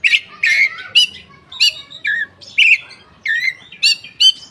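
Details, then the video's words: Koci, a caged bird, singing with its tail opened, used as a lure to spur silent or lazy koci into song; sharp varied chirps and whistled notes around two to four kilohertz in short bursts roughly every half second. "suara burung koci buka ekor||pancingan koci bahan ombyokan"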